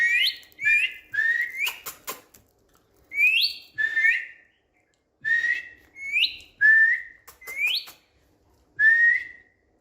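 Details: Indian green ringneck parrot, a pet on a bed, whistling a rapid series of short notes, many jumping upward at the end, grouped in phrases of three or four with brief pauses.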